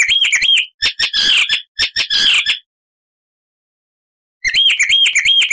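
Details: Loud icterine warbler song phrases: nasal arched whistles repeated in threes, harsh scratchy bursts, a long silence, then the same arched whistles return.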